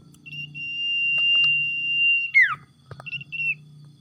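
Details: A tame common iora kept as a songbird: a drawn-out level whistle of about two seconds, a sharp falling slur, then short whistled notes, over a steady low background hum.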